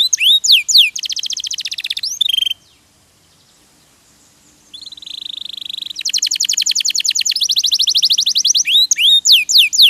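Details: Diligently singing canary used as a tutor for other birds: swooping whistles and a buzzy trill, a silent gap, then a rising warble leading into long, rapid, even trills.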